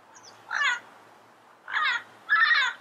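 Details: Three coarse, buzzy squawks from a wild Yellow-headed parrot in its natural surroundings, the first alone and the last two closer together.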